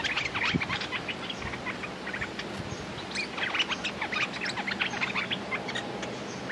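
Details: Red-whiskered bulbuls calling as a decoy lures a smart territorial wild bird: busy, rapid chirps and warbled notes in overlapping bursts, with background rustling noise.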